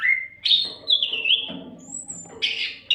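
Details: Oriental magpie-robin singing continuously, a recording used to tutor other songbirds: a rising whistle, long wavering bright phrase, a very high thin note, then harsher chattering notes.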